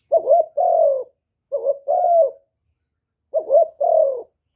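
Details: Spotted dove calling as a decoy for wild doves: three low coo phrases, each a quick broken double note then a longer falling coo, with pauses of about half a second to a second between them.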